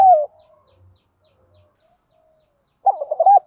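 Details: Spotted dove 'field voice' coos used to stimulate trained birds: the tail of one note, a quiet gap, then a choppy, stuttering run of low coo pulses.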